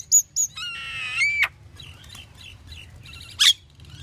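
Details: Pied myna opening with two sharp high chips, then a drawn-out nasal whistle with rich harmonics, soft warbling notes, and a single harsh squawk.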